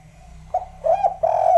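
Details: Tekukur, the spotted dove, singing 'kuk 3': a short hoot, a wavering double coo and a drawn-out steady coo, with a faint low electrical hum underneath.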